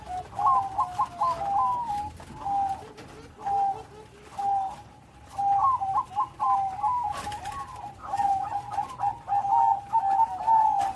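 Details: Bangkok-type zebra dove in full song, loud voice and complete rhythm: rolling, bubbling coos in quick trilled bursts, then a long wavering run of tremulous notes, with short pauses between phrases.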